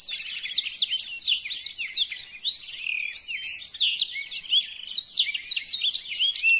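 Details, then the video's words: A Black-throated canary, recorded as a song model for tutoring other birds, sings a fast, unbroken warble of high, sweet twitters, trills and quick slurred notes that rise and fall without pause. "Burung Blackthroat Original"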